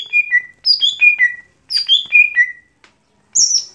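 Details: Daily singing by a lesser green leafbird (gotri): repeated downward-stepping whistled phrases, two full runs then a short high burst at the end, clear and loud against silence.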